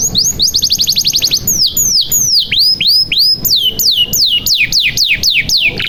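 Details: Canary song used to lure silent canaries into singing: a fast, steady trill of high notes, then slower, looping whistles falling and rising, about three per second toward the end.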